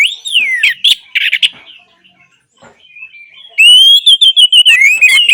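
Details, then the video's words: Song of an orange-headed thrush, played to stir silent birds into song. A loud falling whistle and sharp notes open, then a near-quiet gap, then a fast, loud torrent of varied whistles and chatters. "Terapi Anis Merah Bisu | AM Macet Jadi Gacor Coba Di Putarkan Suara AM Ini"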